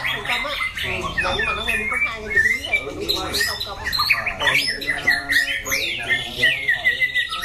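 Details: Competition white-rumped shama kept in a cage, loud and harsh-voiced, changing its phrases; jumbled squawks and chirps give way to clearer whistled notes toward the end.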